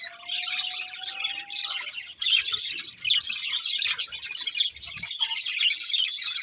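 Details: Budgerigars from a breeding pair warble in continuous high, rasping chatter. A thin steady tone runs underneath for the first two seconds, then the chirping grows louder and denser.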